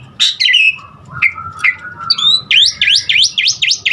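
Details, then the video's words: Asian pied starling song with varied filler phrases, used to stir other starlings into singing: buzzy notes, a long low whistle, then a fast run of sharp rising-falling V-shaped chirps. "Jalak Suren Aneka Suara Isian Uniknya Bikin Burung Jalak Manapun lkut GACOR Full Isian VARIASI"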